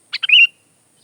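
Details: Sooty-headed bulbul (kutilang) song: a single short phrase of two quick chirps running into a bright, slightly wavering whistle, about half a second long, with silence afterwards.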